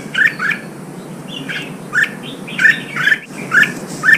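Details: ['Newly caught red-whiskered bulbul being trained for singing contests; a short mellow whistled phrase repeated about every half second to second, each one slurred downward.']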